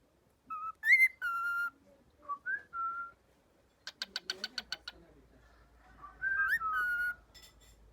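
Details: A cockatiel in speech training repeats words such as "yok aşkım": clear whistled notes and a quick run of harsh, stuttering syllables imitating words.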